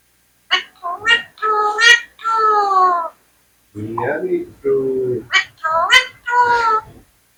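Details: An Indian ringneck parrot (mithu) talks in a high, slightly nasal voice: two bursts of clipped, word-like syllables, each a few seconds long, with a short pause between, in an otherwise quiet room.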